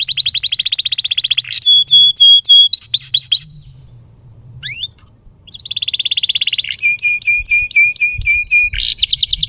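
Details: Long canary song played to prompt and tutor young canaries and stalled singers: a dense rolling trill, a series of steady whistled notes, a brief pause with one rising sweep, then renewed trills and evenly repeated notes.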